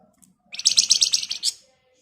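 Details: Javan white-eye, known locally as flamboyan, singing in the dense rapid 'ngebren' style used as a lure for training songbirds: a one-second burst of about eight high, sharp chattering notes in quick succession, ending in a brighter final chirp.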